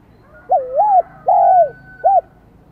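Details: Spotted dove singing in the high-pitched 'giọng son' voice style, Vietnam: a three-part cooing phrase, a wavering double-humped coo, then a long smooth slurred coo, then a short clipped arched note, over a quiet background.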